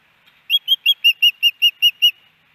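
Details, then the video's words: Female osprey at her nest in Hellgate Canyon, Missoula, Montana, calling for her mate on May 18, 2019, picked up by a nest camera: a quick run of nine high, thin whistled chirps, evenly spaced about a fifth of a second apart, with a quiet background. "Hellgate Canyon Ospreys ~ Iris Calls For Louis"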